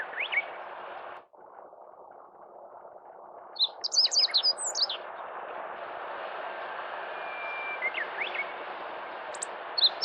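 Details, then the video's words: Meadow bunting song from Kita-Harima, central Hyogo, Japan, 10 April 2021, rendered as 一筆啓上: a rapid string of high, piercing chirps near the middle, with a few faint notes elsewhere, over constant broadband rushing noise. "ホオジロ 本日も一筆啓上 鳴き声"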